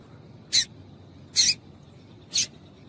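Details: Female double-collared seedeater giving calls used to excite males and warm them up for singing tournaments among breeders; three short, sharp, high chips spaced about a second apart over quiet background.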